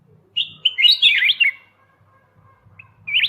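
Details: Master recording of a golden white-eyed bulbul used to train songbirds: one rapid burst of liquid, warbling whistled notes tumbling up and down for about a second, a pause, then one more short whistled phrase, over a soft low hum.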